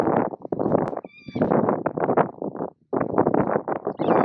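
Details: Juvenile Mulga Parrots being fed at Patchewollock Conservation Reserve, Victoria: dense bursts of harsh, rasping, rapidly pulsed begging noise run almost throughout, with a brief gap near the end and a few thin high whistled notes.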